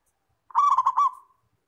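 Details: Single phrase from a local zebra dove's clear training song: four or five fast pulsed coo notes running into a thin, fading held tone, then silence.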